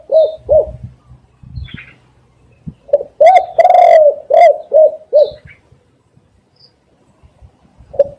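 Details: Spotted dove played as a lure for trapping doves, cooing in a rhythmic phrase: short coos, a long sustained hoarse middle note, then several shorter falling coos, followed by silence and a final coo. Faint high twitters from small birds are heard.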